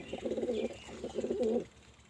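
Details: Pigeon giving two rolling, throaty coo phrases back to back, each about three-quarters of a second long, low and bubbling, then a quiet tail.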